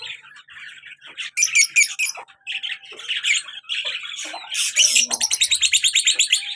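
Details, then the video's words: Pair of pet lovebirds, colour male and black-mask female, active in captivity; scattered shrill squawks and chirps build into a rapid, evenly pulsed series of harsh buzzy notes near the end. "colour love bird male and black mask female beautiful sounds"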